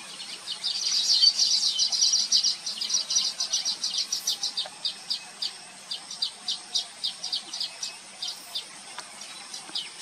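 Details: Baya weaver birds, locally called Thookkanam Kuruvi, recorded with a Nikon P1000 camera: a dense, rapid chatter of high, sharp chirps, several per second, loudest early on, then thinning into spaced single notes toward the end.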